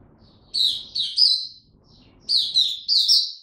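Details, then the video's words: Oriental white-eye (mata puteh) in song on 3 January 2022, building toward peak form: two bursts of three rapid high twittering notes each, separated by a short silence, clear against low background noise. "Mata Puteh Dagger ramp up form buka tiong aw sing"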